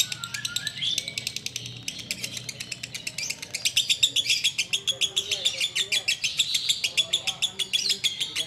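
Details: Sooty-headed bulbul in ngekek song while waiting to break the fast: quick high chattering notes, starting a little uneven, then settling into a steady fast rhythm, with faint lower chirps and murmuring underneath.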